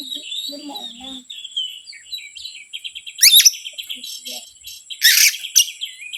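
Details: Oriental magpie-robin song used as a lure to provoke other birds: varied high whistled phrases and rapid chattering notes, with sharp broadband bursts, a steady high whine, and a man speaking faintly at the start.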